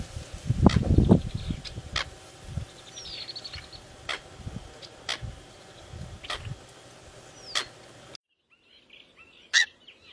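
Eurasian coot giving short, sharp, explosive 'pitt' notes spaced a second or two apart, over low rumbling background noise and faint chirps from another bird.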